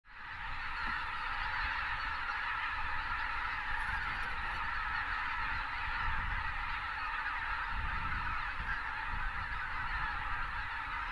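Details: Thousands of wild Greater white-fronted geese in winter south of Uvalde, South Texas, joined by pelicans taking off; a dense, unbroken chorus of overlapping yelping honks fills the whole stretch, over steady low rumble from wind or wingbeats.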